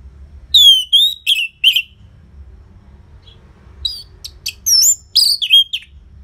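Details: Orange-headed thrush, played as a lure to get silent birds singing, gives loud, rich whistled and chattering phrases mixing clear notes with rapid buzzy trills, in two bursts with a brief pause between.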